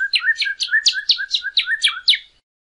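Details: Northern cardinal song for teaching caged birds to sing: nine bright, evenly paced downslurred whistles delivered in just over two seconds. Each note drops sharply in pitch, then the phrase ends abruptly into silence.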